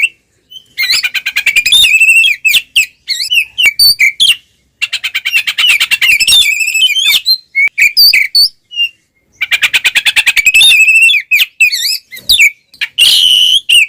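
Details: Fighting-style 'ngeplong' song of an Oriental magpie-robin, used to lure and provoke rivals: long loud runs of rapid harsh trilled notes mixed with whistles and squeaks, separated by brief silences, with no other sounds.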